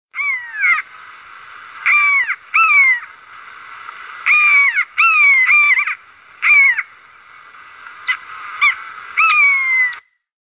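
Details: Buzzard giving a series of short, clear, downslurred mewing calls, some in quick doubles, spaced irregularly over ten seconds against a quiet background.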